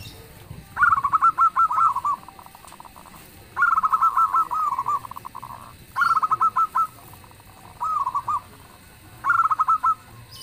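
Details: Local zebra dove in strong song, its booming voice said to make others call back: five bursts of rapid pulsed cooing notes, each falling slightly, spaced about two seconds apart over steady background hiss.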